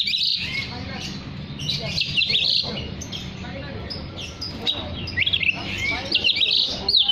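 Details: Oriental magpie-robin song meant to attract other magpie-robins: bright, high, varied whistled phrases and chirps in bursts, with quieter gaps and a constant low background rumble.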